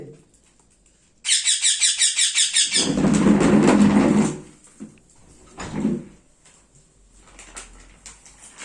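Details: Hand-fed ringneck parrot chick begging during feeding: a burst of rapid rasping pulsed squeaks, then loud broad rushing and clattering noise and scattered knocks.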